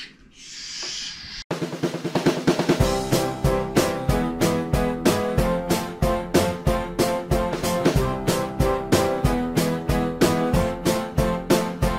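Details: A brief hiss gives way to steady drum-driven music with a strong beat and no animal voice.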